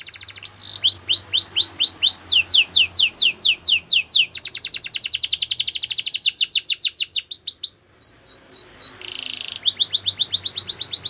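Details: Canary singing in a long, varied song: rapid trills of repeated downward-sweeping whistled notes, changing phrase every second or two, with a buzzy rolling section near the middle and a faint low hum underneath.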